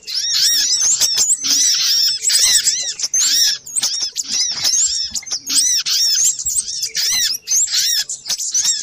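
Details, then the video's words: Little spiderhunter lure recording, a busy, excited series of sharp, very high chips and arched squeaky notes, densely overlapping in rapid bursts with brief gaps, apparently several birds calling together. "Suara pikat burung sogok ontong ribut kompilasi"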